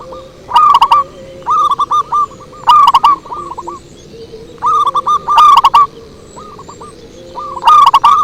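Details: Zebra dove song played as a lure: repeated bursts of stuttering, bubbly coos roughly every second, loud phrases alternating with softer replies from other doves, several birds calling back and forth almost continuously.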